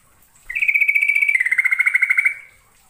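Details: Yellow-vented bulbul from East Java, lure recording of energetic song with long rolls: one rapid trill lasting nearly two seconds, high and steady at first, then dropping a little into a doubled, pulsing chatter before fading.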